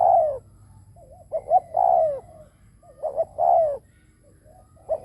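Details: Cooing of a decoy spotted dove used to attract others. Each phrase has quick short notes and a strong drawn-out coo sliding downward, with quieter wavering coos between phrases.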